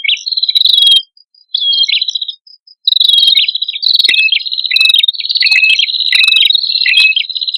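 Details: Lure recording of a male and female prinia in lively song: clean, bright chirps with buzzy trailing notes, a few short phrases, then a dense, continuous run of overlapping rapid chirps.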